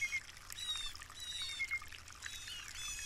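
Blue jay giving a string of short, harsh, downslurred notes with a ringing, overtone-rich quality, about five in three seconds, over a soft rushing background.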